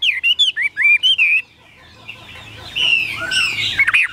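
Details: Captive Chinese hwamei delivering a short burst of clear, looping whistled notes, then a pause followed by a softer, blurred stretch of whistling and faint background noise.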